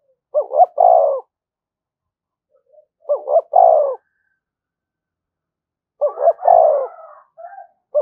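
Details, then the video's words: Spotted dove provoking call: three full phrases, each two clipped rising notes followed by a long rolling coo, spaced about three seconds apart, with the start of a fourth at the end. "tiếng chim cu gáy kích bổi"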